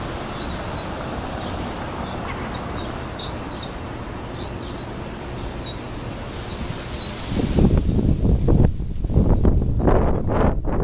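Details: Baby gulls begging for food in South Boston, 2013: a rapid series of thin, high, arched whistled peeps, often doubled, over steady low rumble, ending in louder thumping and rustling noise.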